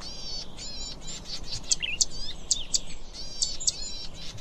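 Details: Zitting cisticola (streaked fantail warbler) singing: high, sharp repeated ticking notes mixed with buzzy trills, with other bird chirps overlapping.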